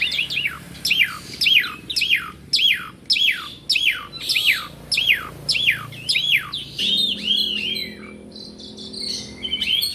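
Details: Asian pied starling singing without pause: a repeated descending whistled phrase about every half second, then a tangle of chirps and squeaky notes, over a faint low hum.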